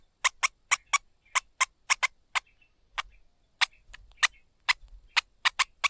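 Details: Begging from streaked spiderhunter chicks as the mother bird feeds them: dry, rasping chips in rapid bursts of two to four, a brief lull midway, then renewed urgent calling, about twenty chips overall.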